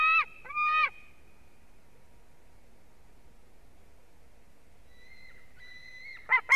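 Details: A young white-tailed eagle on its fourth day in the nest at Durbe, Latvia, on 13 August gives two quick pairs of loud, ringing yelps at the start and end, with a thin, drawn-out whistle between.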